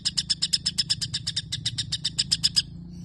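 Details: Brief rapid sparrow-imitation phrase from a white-rumped shama, about twenty sharp bright chirps in quick succession before stopping.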